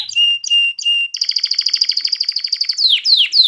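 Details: Domestic canary singing to excite females for mating and encourage young birds to sing: three clear steady whistled notes, then a fast chattering trill, ending in repeated downward-sweeping notes.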